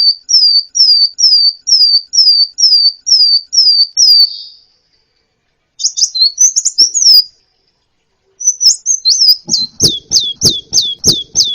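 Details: Kolibri ninja song used as a training recording for songbirds: a steady series of about ten high, downslurred whistles, then a pause, a brief twittering burst, and a final run of sharp, descending chirps.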